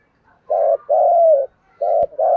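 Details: Spotted dove giving thúc gù cooing in the deep giọng thổ voice, a call used to lure wild doves: four loud, low, hollow coos in quick succession, the second drawn out longest, with a brief click near the end.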